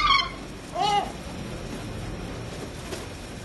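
Two short, nasal, mewing gull calls with a rich harmonic edge, about a second apart, then a steady background hiss.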